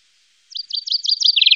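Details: Common chaffinch in Wittlicher Tal, 2018, giving a bright, high trill of repeated downslurred notes, about six per second, quickening into a faster run at the end.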